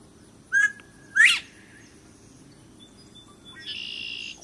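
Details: Male Northern bobwhite at a water garden in Franklin, North Carolina, calling unanswered (possibly escaped, staff suspect): clear two-part 'bob-white', level note then sharp rising one; a high buzzy trill follows, which a viewer identifies as a red-winged blackbird.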